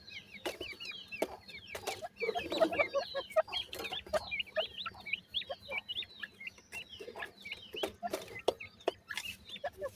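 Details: Chicks of the Indian grey francolin, or gora teetar, chirp almost nonstop, with rapid overlapping high peeps that rise and fall, several callers at once, punctuated by sharp clicks.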